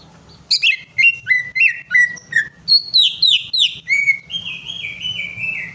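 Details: Song of a greater green leafbird meant to coax a bird into singing: a rapid series of about a dozen sweet, slurred whistled notes, some dropping and some rising, followed by a long drawn wavering whistle sliding downward.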